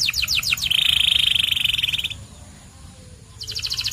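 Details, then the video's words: White canary starts with rapid clipped notes, then holds a loud, pulsing buzzy roll for over a second before going quiet and restarting with fast repeated chips. "The Best White Canary's Singing"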